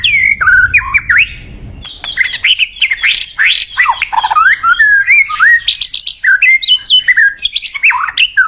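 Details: White-rumped shama song used as a lure to call in a mate: loud, rich, varied whistled phrases, sliding and warbling up and down, delivered in rapid bursts with short gaps.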